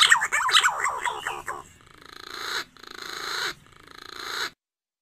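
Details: Green pigeon lure call, used for ambushing the birds at their nest: a quick run of wavering, whistled notes that rise and fall, followed by three harsh, hissing bursts of noise.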